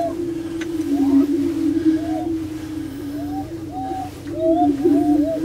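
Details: Greater prairie chickens displaying on a lek at the Bluestem Prairie Preserve, Glyndon, Minnesota: a steady low booming drone runs throughout, overlaid by short rising whoops and cackles from several birds.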